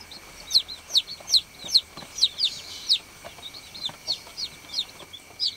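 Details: Baby chickens on a farm: sharp, high chirps spaced roughly half a second apart, some loud and some softer, over a low constant hum.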